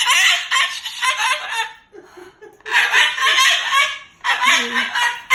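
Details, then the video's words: An angry Moluccan cockatoo kept as a pet cursing out its owner after an overnight stay: three loud, hoarse, babbling bursts of bird-talk separated by short quieter gaps with soft murmurs. "He's talking and cursing LOUD and funny"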